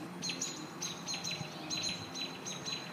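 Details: Nest-defending robins facing a hawk give quick, bright high chirps in an agitated string, several per second, over a soft low hum.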